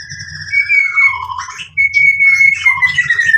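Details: White-rumped shama song used as a lure to make other shamas answer and sing, rich in mimicked filler phrases: long, level, whistled notes with a jumble of buzzy phrases between them, over a low steady rumble.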